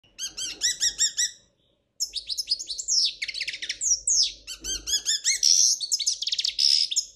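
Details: European goldfinch of the Spanish royal type singing a song described as error-free: rapid twittering bursts of high, ringing notes, a short pause after about a second and a half, then dense trills, buzzy rolls and chattering phrases that continue steadily.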